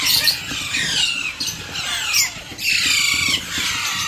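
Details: Young Alexandrine parakeet during hand feeding, producing shrill, scratchy wavering cries in two long bursts with a brief break between them.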